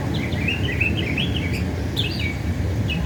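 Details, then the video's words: A Northern mockingbird in America sings a quick run of varied, warbled and chirpy phrases, high and changing in pitch, over a steady low rumble of background noise. "Bird Making beautiful Sounds"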